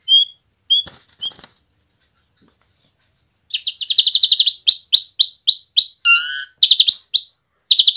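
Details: A vocal, relaxed Asian pied starling (jalak suren) used as a lure to get young starlings singing sings a lively, varied medley: clear high whistles, then fast runs of harsh, buzzy chattering notes, several each second, mixed with a lower nasal note.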